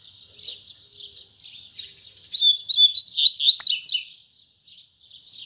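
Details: Morning song of a Double-collared seedeater in the Tui Tui Zel Zel style. Quiet scratchy chips lead into a loud two-second run of bright whistles and sharp notes, then fades back to soft chirps.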